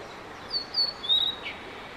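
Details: Male Blue-and-white flycatcher singing at length, about fifteen minutes, as a solo performance watched by several bird photographers; clear high whistled phrases, slurred and gently descending, three notes in quick succession over a soft steady background hiss.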